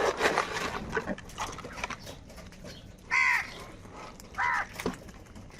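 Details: Angry crows fighting over food give two short harsh caws in the second half, each a brief rasping burst, after a stretch of scuffling and background clatter.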